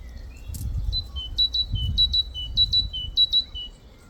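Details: Great tit singing a bright, whistled two-note phrase, a high note dropping to a lower one, repeated rhythmically about every half second, with a low rumble of background noise beneath.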